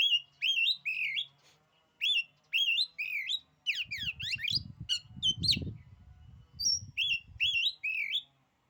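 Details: Oriental magpie-robin (kacer) song said to cow rival kacer: bright whistled phrases that swoop upward, then a fast run of buzzy descending notes over a short low rumble, returning to clear whistles.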